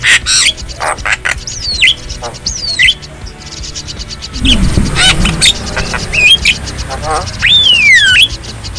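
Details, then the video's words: Black-winged starling recorded wild in nature, giving loud whistled swoops that fall and rise, plus harsh squawky notes and scratchy chatter. A long descending whistle near the end, with low rumbling noise in the middle. "Masteran Burung Jalak Kebo Jabo Jalbo Asli Alam Liar"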